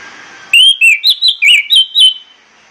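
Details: Orange-headed thrush morning song, aimed at getting birds singing: seven rich whistled notes in steady succession, each short and slurred, varying slightly in pitch, then silence.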